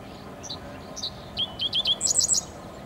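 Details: Dickcissel singing at Steelworkers Park, an old US Steel plant site on Lake Michigan, Chicago, giving two sharp introductory notes, then a quick run of chirpy notes ending in a higher, buzzy flourish; a harbor horn may be audible.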